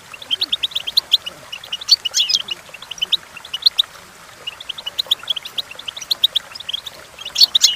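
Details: Singing goldfinch, intended as a training recording for young singers: a continuous stream of liquid twittering chirps, quick trills and sharp high notes rising into a dense flourish at the close.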